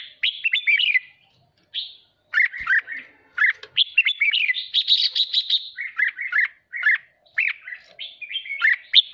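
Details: Kept red-whiskered bulbul sings an excited 'hót ché' phrase meant to stimulate other birds: rapid chattering warbles and upswept whistles in clustered bursts, a denser trilled stretch near the middle, and brief silences between bursts.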